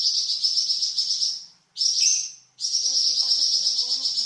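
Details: Flamboyan bird, a songbird, in a varied song recording used as a tutor for training cucak ijo and magpie robin: dense, high, buzzy trilled chatter held steadily, broken by two short pauses, then resuming at the same pitch.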